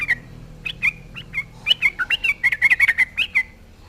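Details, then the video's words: Yellow-vented bulbul in full voice, taunting opponents so other bulbuls answer: a few spaced liquid whistles, then a quickening run of chortling, bubbly notes with slurred rises and falls. "SUARA TRUCUKAN GACOR MENGEJEK LAWAN RAJANYA BIKIN NYAUT TRUCUK LAIN"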